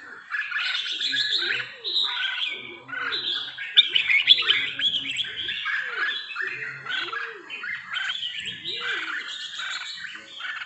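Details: Red-whiskered bulbul, three seasons old, from Trà My, in sustained bright chattering song with quick rising and falling chirps. A softer low arched call repeats about every one and a half seconds in the background.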